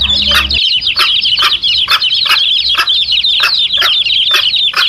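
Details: Mother hen and her chicks, used to draw in wild male junglefowl: a brief low hum opens, then steady high-pitched chick cheeping fills everything, punctuated by regular sharp clicks around two per second.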